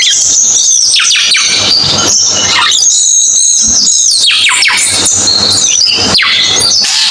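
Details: Cucak keling song heard through a strong hiss: high whistled notes and sliding calls that swoop downward, spaced between noisy stretches.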